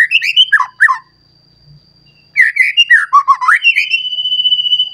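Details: Excited white-rumped shama searching for a rival, singing its full repertoire as a lure: tumbling whistled phrases with sliding notes, a short silence, another fluid burst, ending in a long steady whistle.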